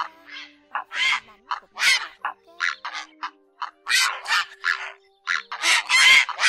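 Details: Grey herons giving flock calls, the style called ét and ọc ọc, used to lure migrating birds into night nets in August 2024: harsh, broadband squawks and croaks, overlapping and irregular, several birds calling almost continuously.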